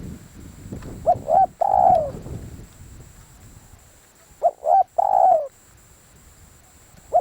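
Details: Decoy spotted dove repeating its three-part coo: two short rising notes and a longer falling croon, heard twice with another starting, over low rumbling background noise.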